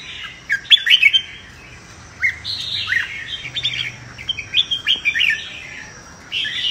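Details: Fighting song of red-whiskered bulbul, for training birds into contest singing: separate bursts of sharp, bright whistled chirps and short warbles with brief pauses between, ending in a sustained run of notes.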